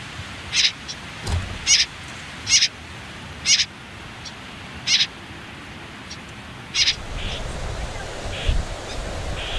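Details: Common whitethroat chicks on their final day in a riverside nest under reeds and nettles: well-spaced raspy chirps roughly once a second, then softer thin notes near the end.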